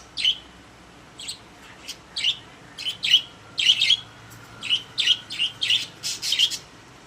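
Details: Pet budgerigars in a cage make clear, short, piping chirps, spaced irregularly and then quickening into paired notes, over a quiet indoor background.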